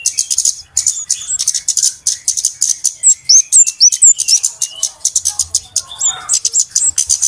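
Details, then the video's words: Busy flowerpecker chatter from a lure recording for trapping birds: fast, high, ticking chips about twice a second, broken by short curved whistles near the middle. "SUARA PIKAT BURUNG KEMADE RIBUT/ BURUNG CABE-CABEAN"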